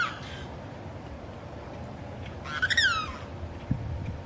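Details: Male limpkin crying repeatedly to attract a mate: a loud, harsh wail sliding downward, with a shorter cry at the start, over a low background rumble and a brief thump.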